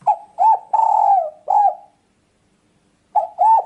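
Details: Lure call of a spotted dove: hooked coos around a long, steady coo, then a silence of over a second before the phrase starts again with two quick notes.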